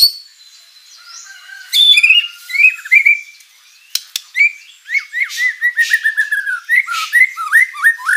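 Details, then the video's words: White-rumped shama in lively song crammed with filler phrases, meant to make rival birds respond: a few high whistles and a pause, then a long rapid series of downslurred chirps and rattling notes. "MURAI BATU GACOR full isian materi mewah"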